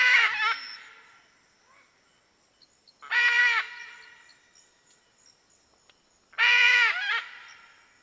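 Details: Red-and-green macaw (Ara chloropterus) giving three loud, harsh, raspy screeches, each about half a second long and spaced roughly three seconds apart, rich in harmonics, with a quiet background.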